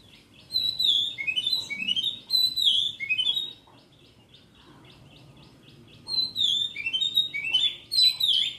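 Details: Melodious song of an oriental magpie-robin: two bursts of rich, sweet whistles and quick slurred phrases separated by a few seconds of quiet, with faint background noise.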